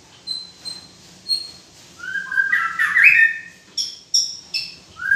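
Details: White-rumped shama: spaced high whistled notes, a loud tumbling phrase of rising slurred whistles, then crisp chips and a final rising whistle.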